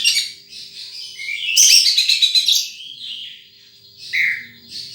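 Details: Sunbird in the wild giving thin twittering notes, a loud rapid trill burst in the middle, then softer high chirps.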